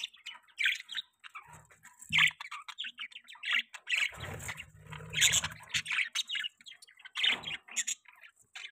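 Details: Pet budgerigar chicks giving continuous soft warbling chatter of squeaky, buzzy chirps, with a low rumbling noise for about two seconds midway.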